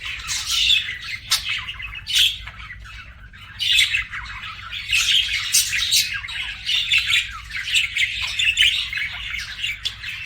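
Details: Budgerigars as pets chattering steadily, busy scratchy warbling broken by sharp clicks and squeaky chirps, rising and falling in loudness, over a low background hum.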